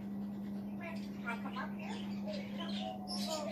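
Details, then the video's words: African grey parrot, a male sitting on a chair inside a room, chattering to himself in quiet murmured speech-like syllables. A constant low hum runs underneath. "AFRICAN GREY TALKING TO HIMSELF"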